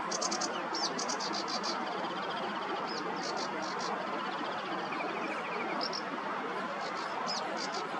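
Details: On the Nioman riverbank in Hrodna, western Belarus, 11 May 2023, a barn swallow pauses from nest building to sing: scattered high chirps and twitters with a low buzzy rattle midway, under continuous loud rushing background noise.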